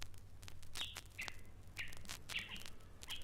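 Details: In East Africa, a Rüppell's Robin-Chat mimics a small dog's barking and its owner's command whistle, giving short sharp high notes about every half second over a low rumbling background.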